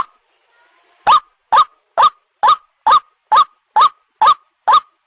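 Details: White-breasted waterhen lure call used by hunters to attract birds for catching: after a second of near silence, loud hoarse notes that bend upward, evenly repeated about every half second.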